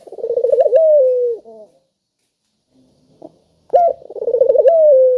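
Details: Spotted dove, a loud clear call used to get other doves calling: a rolling series of quick pulses leads into a long, steady downslurred coo. After a quiet gap with a faint knock, a second full phrase follows.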